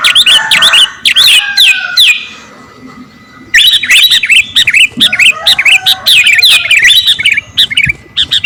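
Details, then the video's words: Sooty-headed bulbul (kutilang garuda) song used to train captive birds: dense bubbling chirps and quick rising-falling whistles, broken by a quiet gap of about a second and a half before resuming. "KUTILANG GARUDA GACOR..!! SIAP TEMPUR KICAUAN"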